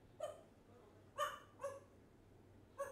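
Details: A one-year-old African grey parrot gives four short, rich, harmonic yelping sounds, spaced unevenly about half a second to a second apart, against a low steady hum.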